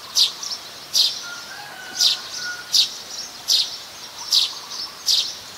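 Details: Plain-backed Sparrow, Passer flaveolus, in Ubon Ratchathani, Thailand, January 17, 2020, captured on a Nikon P1000; sharp high chirps come about every second, some single and some in close pairs, over a quiet background.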